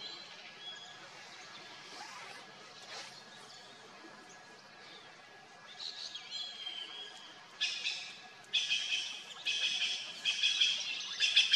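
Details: Trio of Red-billed Blue Magpies feeding in a fruiting wild pear (kaitha) tree and a deodar cedar near Mussoorie in the Indian Himalayan hills; quiet opening, then harsh, buzzy squawks in irregular bursts from about six seconds, growing louder toward the end.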